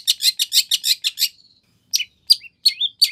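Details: A long-tailed shrike's 'full isian' song used to provoke an answering shrike: a quick series of about eight scratchy chattering notes, a pause, then scattered twangy chirps with short rising whistles.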